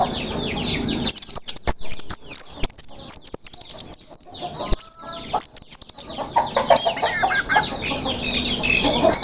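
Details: Orange-headed thrush that has just finished moulting sings a busy, rambling song of thin high whistles, dry clicks and chattering notes in quick, uneven bursts, over steady background hiss.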